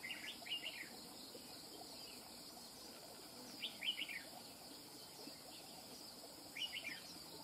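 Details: Red-whiskered bulbul, wild-caught, repeats a short cheerful whistled phrase three times, roughly every three seconds, each a rapid up-and-down warble, with a steady hum of insects underneath.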